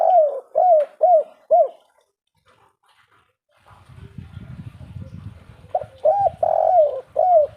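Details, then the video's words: Spotted dove of the three-note 'kuk 3' style, cooing in arched, hollow notes: a short run of coos, a pause with low rumbling noise, then another coo phrase with a long drawn middle note. "suara burung derkuku kuk 3"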